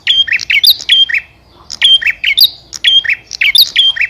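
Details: Bar-winged prinia, a male calling a female, giving rapid clusters of sharp, high-pitched chirps mixed with thin whistled notes, grouped in quick bursts of four or five notes separated by short pauses.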